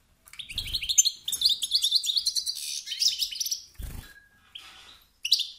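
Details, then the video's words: Stimulating calls of a male European goldfinch that spark rivalry in other males: fast chains of liquid, high twittering notes, a thin sustained tone near the end, and a few low thumps. "ستستات و بتبتات ذكر الحسون الخلوي التي توقد النار في الذكور الاخرى"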